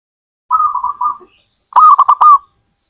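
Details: Zebra dove: a quiet, even sequence of short coos followed by a loud, choppy burst of four or five quick cooing notes.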